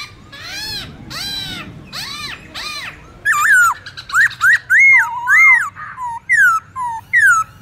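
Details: Black-throated laughingthrush forest-style song for teaching young birds: several arched, harsh, buzzy notes, then clear, loud whistled phrases that rise and fall, repeated in separate bursts.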